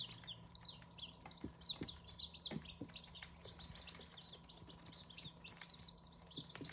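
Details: Hmong chicken chicks giving a dense chorus of high, thin peeps, many short downslurred notes overlapping, with a few louder cheeps, occasional knocks and a low steady hum underneath.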